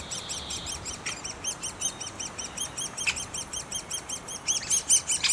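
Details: Great spotted woodpecker young in the nest keep up a quick, regular series of high arched squeaks, roughly three per second, with a few sharp clicks and a louder ending.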